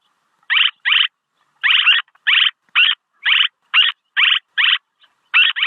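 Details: Swallow calls meant for luring: a steady run of about a dozen harsh, buzzy chirps, several paired closely, spaced roughly half a second apart in silence.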